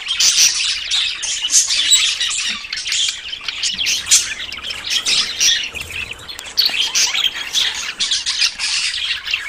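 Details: Several budgerigars in courtship before breeding, giving fast twittering chirps and warbles that overlap into a continuous high babble, rising and falling in loudness.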